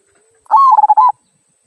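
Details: Local zebra dove, 'kung' voice used as a lure to set other birds singing: one clean phrase of a rising coo followed by three or four rapid rolling notes, in an otherwise quiet background.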